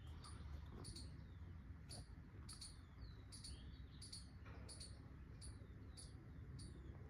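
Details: A bird chirps outdoors, giving clusters of sharp high notes and brief downward-slurred whistles that recur roughly every half second, while a constant low background hum runs underneath.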